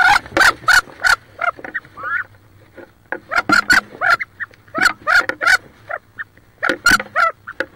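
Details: Wood duck (Aix sponsa) hens squabbling inside a nest box near Richland, Washington, where a hen sits on about 18 eggs: harsh, squealing calls with rising whistled notes in quick overlapping bursts about every half second, with short pauses between flurries.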